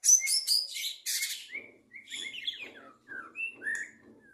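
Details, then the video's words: White-rumped shama out of its training cage in 2023, delivering harsh high buzzy bursts followed by varied clear whistled phrases, some rising, some falling, spaced about half a second apart. "murai batu lepas trotol 2023"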